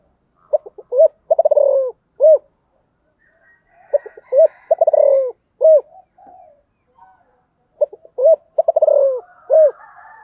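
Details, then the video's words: Spotted dove cooing three times in ten seconds, each phrase of stuttered notes, a trilled falling purr and a clear closing coo, with faint distant chirps of other birds between. "cu gáy"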